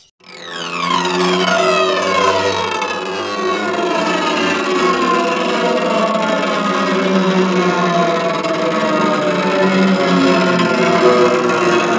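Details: A steady wailing siren with layered falling tones and electronic music-like hum throughout, with no animal sound.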